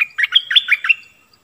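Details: Short, cheerful warble from a bulbul used as a decoy for wild birds, 16 March 2021: about six quick, liquid chirps run together in under a second.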